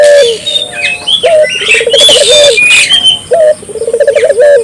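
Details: Barbary dove in steady calling, meant to stir local doves into calling: two low phrases, each a clipped opening note and then a quick pulsing trill, over a busy layer of high chirping and squeaky calls from other birds.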